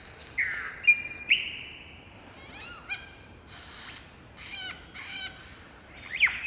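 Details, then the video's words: A shy lyrebird perched on a branch in Australian cool temperate rainforest in the morning sings a varied run of loud, ringing notes: rising whistles, sharp downward sweeps and clustered chirps, with short pauses between phrases. "Lyrebird sings"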